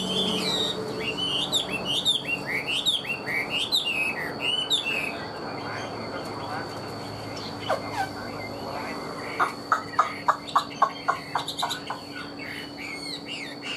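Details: Chinese hwamei kept as a pet songbird delivers a varied string of bright, bouncing whistled phrases, pauses, then repeats short sharp clipped notes about twice a second, with steady background hum.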